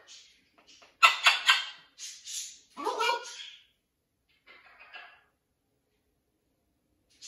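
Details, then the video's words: Parrot talking at a rescue sanctuary where a blue-and-yellow macaw is settling into a new flock: bursts of rough, speech-like chatter and a descending grating call, then quieter mutters after a pause. "Blue & Gold Macaw is adapting to his new flock. Lots of parrot talking."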